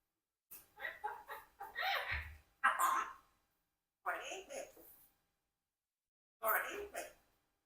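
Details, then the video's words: Rocky, a 4-year-old Congo African grey parrot, says "apple" in several short, word-like bursts of mimicked human speech in a small room, and is interrupted by a person's voice. "Parrot Rocky Says Apple but Gets Interrupted"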